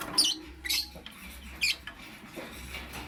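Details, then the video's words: Lovebird in the morning uttering three shrill, piercing chirps roughly half a second apart, then fainter, against a steady low hum. "Amazing Lovebird - Beautiful Colors - Chirping Sounds"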